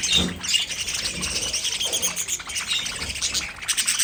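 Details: Pet budgies warbling and chirping together, a busy high murmur of short notes with louder squeaky peaks near the start and end.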